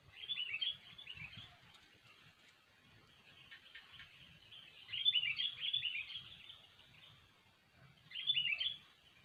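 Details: Sooty-headed bulbul singing lively as a trapping lure: three bursts of bubbly whistled notes spaced a few seconds apart, with soft chatter in between over a light background hiss.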